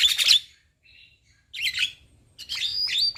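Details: Javan myna pair, male with female, giving three short bursts of high, buzzy, chattering notes separated by brief silences.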